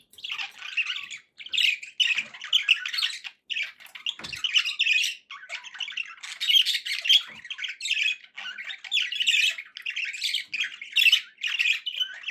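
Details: Captive budgerigars in steady song indoors, a dense, unbroken stream of chattering warbles, clicks and buzzy squawks with a single low thump partway through.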